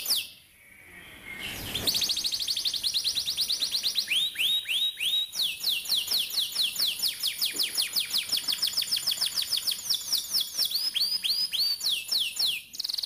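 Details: Canary in long rapid rolling song used to teach young canaries: a short faint start, then a continuous run of quick curved notes repeated many times a second, shifting pitch between phrases across about eleven seconds.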